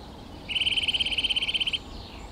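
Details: Rapid, level trill from a Eurasian nuthatch (Sitta europaea), roughly twenty quick notes in about 1.3 seconds, steady in pitch and loudness, with faint hiss behind.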